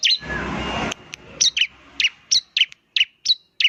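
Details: Bar-winged prinia in semi-vigorous song that prompts other prinias to answer: a burst of broadband noise, then sharp high notes dropping in pitch, repeated irregularly about every third of a second.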